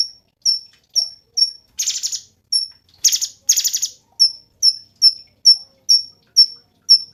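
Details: Cungkok alternating crisp high whistled notes, repeated every half second, with three rasping buzzy trills, then a long steady run of whistled notes.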